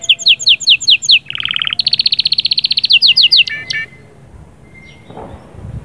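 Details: Canary singing to stimulate and ready the female, in the sahsahat and batbatat style: bright rapid trills of repeated high notes, a lower buzzy rolling tour, then another fast trill ending in short calls and quiet room noise.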